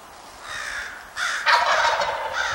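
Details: Wisconsin woodland morning with a wild turkey sounding off, a rising then louder gobble whose rapid, rolling rattle grows in the final second and a half.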